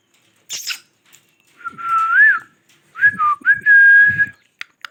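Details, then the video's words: Loud parrot whistling among its different voices: one long tonal phrase wavering and lifting at its end, then a pause and a second phrase that dips briefly before holding a steady note, with a sharp click beforehand. "parrots Talking amazing sounds different voices of parrots"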